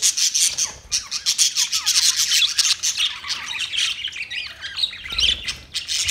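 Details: Colourful colony of white and green parrots, August 26, 2023: unbroken harsh, grating squawks from many birds, with wavering squeaky notes weaving through the din.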